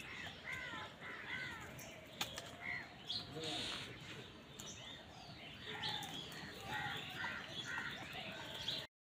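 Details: Crows squabbling with wild birds over food: a run of harsh, arched caws opens, followed by scattered shorter calls and sharp clicks amid a busy chorus of other bird voices and faint background noise, ending abruptly.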